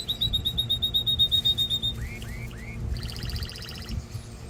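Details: Canary singing to prepare females for mating and as a lesson for young birds: a rapid pulsed high trill, three rising whistled slurs, then a dense buzzy rattle over low hum.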